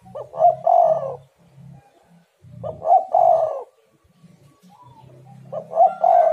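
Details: Spotted dove (tekukur) calling as a lure to prompt other doves to call: repeated cooing phrases, a couple of quick soft notes then a longer rolling coo, roughly every 2.5 seconds, with low hum and faint other birds behind.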